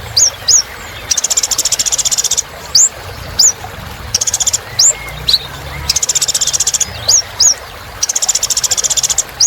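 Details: Purple-throated sunbird singing vigorously: sharp upward-swept whistles alternate with long, fast buzzy trills. The trills repeat several times in the clip.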